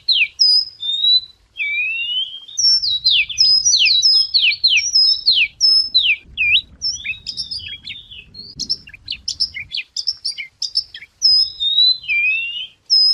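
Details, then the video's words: White wagtail in Vietnam giving a lively, varied song suited as a lure: rapid twittering of sharp chirps, slurred whistles and short trills, delivered in dense bursts separated by brief pauses, with faint low background rumble. "Tiếng chim Chìa Vôi hót hay mồi chuẩn"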